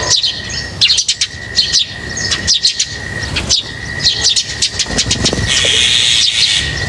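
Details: Lovebirds chirp while being fed, with clusters of fast, high, stuttering notes repeated roughly every second, ending in a smoother sustained high chatter, a steady whine behind.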